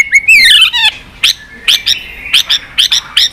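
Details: White-rumped shama giving continuous 'tạch' calls, used to rouse weak-spirited birds: a run of varied whistled slurs, then sharp upswept notes repeated about every quarter second.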